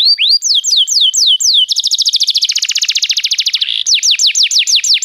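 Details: Singing canary, used to prompt a quiet canary into song: a few looping whistled notes break into a fast, buzzy rolling trill, then return to crisp down-slurred whistles.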